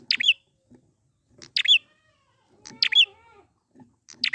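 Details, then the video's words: Wild prinia lure: strong high, clipped buzzy notes repeated about every 1.3 seconds, with quieter low chirps and a faint wavering harmonic call from another bird between bursts. "pancingan prenjak gacor alam liar ampuh100% buat bahan/macet bunyi agar cepet gacor lagi"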